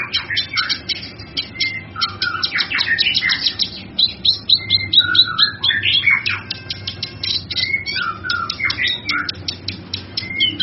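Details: Varied song of a male kinoy, used to tutor other birds: dense high chirps mixed with short slurred whistles and twangy notes, tumbling in quick, irregular phrases.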